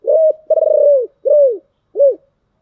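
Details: Spotted dove in 'giọng thổ' song gives four loud, low coos: a level note, a long rough note sliding down, then two shorter arching coos, in a clean, quiet setting.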